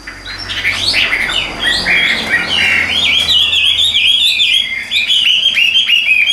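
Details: Tame Chinese hwamei kept in a cage, singing when hand-carried: bubbling whistles that build into a rapid, rolling series of clear, rising-and-falling notes.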